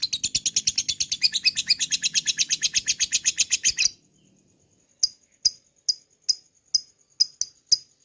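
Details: Long lovebird ngekek used to lure other lovebirds into singing: a rapid, harsh rattling trill lasting about four seconds, then a pause followed by sparse sharp ticking notes every half second with a faint thin whine.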